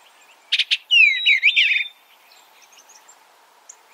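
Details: Eastern bluebird giving one short warbled phrase of sliding, gurgling notes lasting about a second, followed by quiet with faint high chips in the background.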